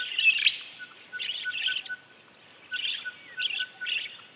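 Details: Azure kingfisher calling in its natural habitat: short, harsh, buzzy bursts given in clusters with brief pauses, over a faint steady tone broken into dashes.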